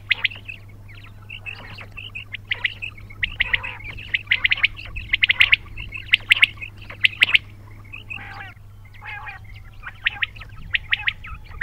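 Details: A lively stream of high, squeaky quail chirps and harsher buzzy notes, grouped in quick clusters, fading slightly after a brief lull and resuming softer toward the end, over low hum.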